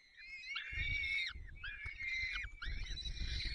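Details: At a Peregrine falcon nest in Poland's Barycz Valley, 30 April 2020, the male feeds the chicks: three rasping, slightly rising then falling wails over steady low rumbling and handling noise.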